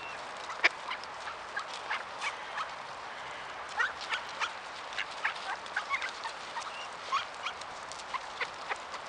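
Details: In November in the Ural region, a flock of bold, hungry ducks being fed and approaching people for food gives short, harsh quacks at an uneven pace over a steady murmur of more distant birds.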